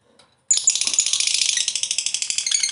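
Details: After a brief quiet start, a lovebird bursts into a dense, rattling, high chatter of quick pulses. The long ngekek panjang style is offered as a lure to bring other lovebirds into song.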